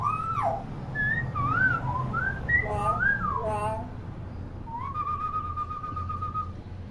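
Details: Talkative, shrill-voiced adult common hill myna gives a run of loud, clear whistles swooping up and down, ending in one long, level whistle, over a low background hum.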